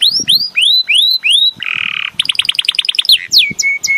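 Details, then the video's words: Belgian canary song opening with five rising, arched whistled notes, followed by a harsh buzzy burst, a rapid stuttering series of notes and a high descending whistle that levels off. "CANTO DO CANÁRIO BELGA"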